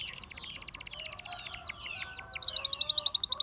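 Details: Gloster canary singing a fast high trill of evenly repeated notes, breaking into a few sweeping slurred notes and then another rapid rattling trill; faint low background hum.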